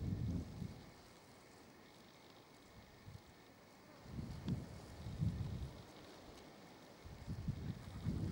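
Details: Gusts of wind buffet the microphone in low bursts, with no animal calls.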